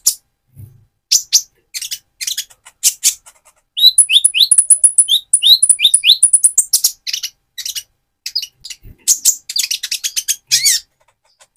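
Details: Van Hasselt's sunbird singing energetically as a provocation lure: scattered high sharp ticks, then a sustained stretch of very high thin trilled notes interleaved with short falling slurs, followed by more rapid chirping.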